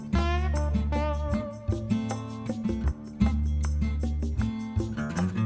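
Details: Plucked acoustic guitar music with a steady low bass line and repeated chords, with no animal voices heard.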